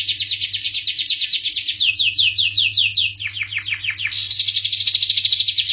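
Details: Canary song made of quick trilled series, some notes becoming slower downward slurs midway, then a higher buzzy trill to close; steady faint hum behind.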